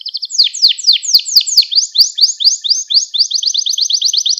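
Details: Gloster canary song used to train young canaries and stimulate other birds: a high, fast rolling series of repeated downward-sweeping notes, speeding into a tight trill.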